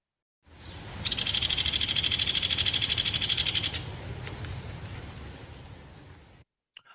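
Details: A Hairy Woodpecker in a Kentucky forest gives its whinny: a shrill, harsh, rattling trill of rapid high notes lasting about two and a half seconds. It stays level in pitch rather than dropping like a Downy's, over faint outdoor hiss.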